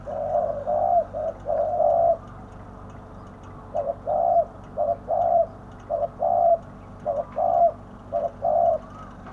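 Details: Decoy spotted dove luring wild birds toward a trap, voicing its karom song: repeated groups of short and drawn-out low mellow coos, several phrases with brief pauses, over steady low hum.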